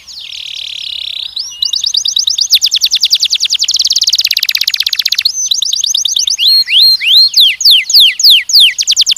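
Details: Canary singing for mating training of young males and females. A buzzy sustained trill leads into rapid, rhythmic rolling notes. Then come slower, widely spaced downward-swept whistles, loud and high, with no other sounds.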